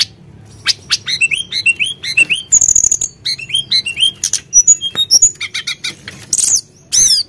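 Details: Sunda blue robin singing hard to rouse other birds: quick upslurred whistles and clicks alternate with brief buzzy, rustling bursts, some sweeping whistles, and a final sharp downward note.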